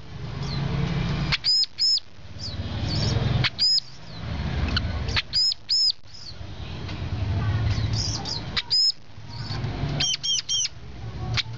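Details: Brown-throated sunbird repeating short phrases of loud, arched, high whistles, often doubled or tripled, spaced every couple of seconds, with thin chips between them over a low rumbling background.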